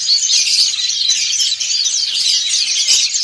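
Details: A flock of dakun and montanus white-eyes sings together in ngriwik style. Crowded high chirps and thin twitters overlap in a short, continuous burst of chatter.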